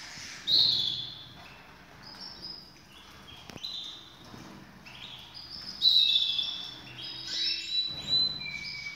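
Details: Several canaries ready for breeding warble in overlapping high phrases, bright chirped bursts near half a second and six seconds, short trills and whistles between, with faint low room noise.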